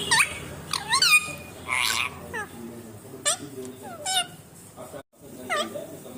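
An Indian ringneck parakeet talks in quick, high, squeaky syllables that swoop up and down, about a dozen word-like bursts with short pauses between.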